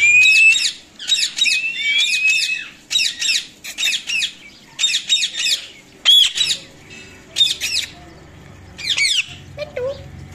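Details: A talking Indian ringneck parakeet chatters in harsh, high, speech-like bursts with a few thin whistled notes.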